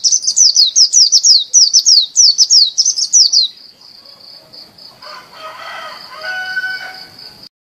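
A white-eye sings a rapid, high series of down-slurred twittering notes for about three seconds. A thin steady whine and softer, lower chirps follow.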